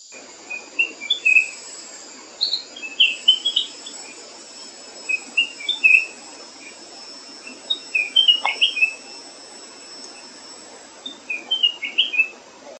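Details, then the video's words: Flame-throated bulbul of the Western Ghats, India: short high chirping phrases in clusters every second or two over steady background hiss. "The flame throated bulbul sound"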